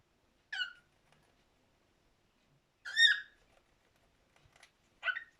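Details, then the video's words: Cockatiel giving three separate harmonic chirped calls, spaced roughly two seconds apart, each bright and slightly rising, with near-silent pauses between them. "Best Cockatiel singing"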